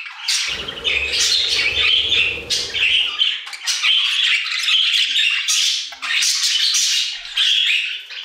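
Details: Aviary budgerigars chatter and squawk, harsh buzzy calls mixed with high squeaks and warbled phrases, forming a nearly unbroken stream of flock song.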